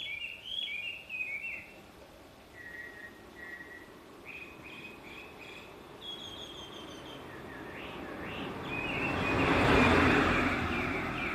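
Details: Early-morning birdsong of high chirps and short trills in separate bursts, fading as a rising rush of passing-vehicle noise swells toward the end.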